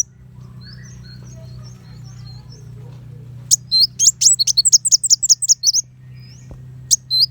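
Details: Purple-throated sunbird (kolibri wulung) used to tutor white-rumped shamas. Soft distant twitters give way to a sudden two-second burst of rapid, piercing high notes, then a lone chip near the end, over a steady low hum.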